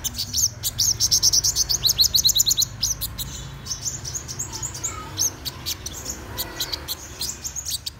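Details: Black-throated sunbird's morning song: a fast run of sharp, very high tinkling notes at the start, then scattered thin chirps and short twitters at an uneven pace over a low background rumble.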